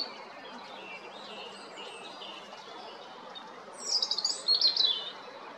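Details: Spring song of a European robin, recorded 13 April 2022 at Jarun in Zagreb, Croatia: soft, distant high warbles, then a louder burst of quick, jumbled, tinkling notes.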